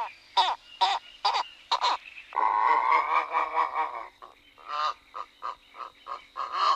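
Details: Purple heron giving hoarse, grating croaks, a few short ones spaced under a second apart, then a drawn-out rasping rattle and more quick harsh croaks; recorded in June 2011 in the Ebro Delta Natural Park, Tarragona, Spain.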